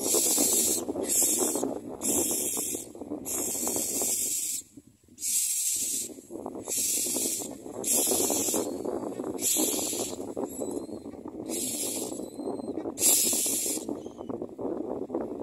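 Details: Common myna chicks in the nest beg with gaping mouths, giving harsh, hissing rasps roughly every second over a steady low background rumble.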